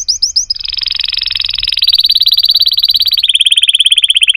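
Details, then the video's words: Canary song beginning with a few high upslurred whistles, then a long, very fast rolling trill that steps between pitch levels without a break. "chant singing canaries 12 تغريد الكناري"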